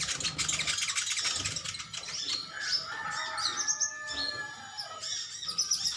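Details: A colony of metallic-green sunbirds chirping at each other: dense, thin, high twittering and short sharp chirps overlapping continuously, with some lower-pitched calls mixed in.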